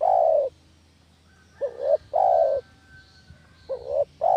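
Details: Lure call of a spotted dove for trapping doves. Mellow low coos come in a short rising double note plus a long drawn note, repeated about every two seconds. A thin faint whistle lingers in the background.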